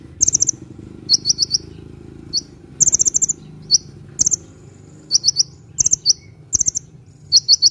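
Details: Sunbird chattering energetically, played to lure birds and encourage reluctant ones to sing: brief high, metallic chirp clusters and trills coming in quick spurts, with a low steady hum beneath.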